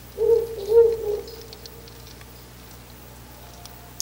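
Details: Very close to its nest box in the early hours of 10 August 2019, about 04:25, a Ural owl gives a quick run of three low, mellow hoots in the first second, followed by quiet with a faint click at the end.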